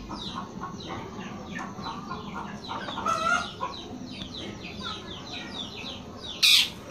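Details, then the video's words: Long-tailed shrike performing cat imitations within its song: fast, harsh chattering notes in an unbroken stream, a brief mewing slur near the middle and a sharp loud burst near the end, over faint background noise. "CENDET GACOR SUARA KUCING"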